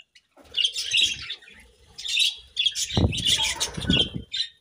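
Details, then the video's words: Morning chirping from budgerigars: chattering, scratchy warbled chirps in several bursts, with a low rustling thump or wing flutter partway through. "Budgies' Morning Chirping Sounds"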